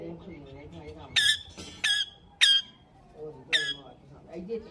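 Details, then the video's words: Talking pet green parrot gives four loud, harsh squawks, spaced about a second apart, with softer voice-like murmuring between them. "Parrot Chirping sound / voice | Tota Ki Awaz | Talking Mithu Mithu sound"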